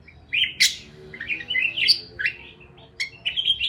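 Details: Parakeets chirping, played to help lonely parakeets chirp: bright warbled chirps and short squeaky notes with a few sharp clicks, irregularly spaced, over a faint low hum.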